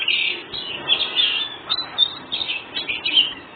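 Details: Oriental magpie-robin singing ngobra style to make other birds respond: busy, rasping warbled phrases with scattered clear whistles, loudest at the start.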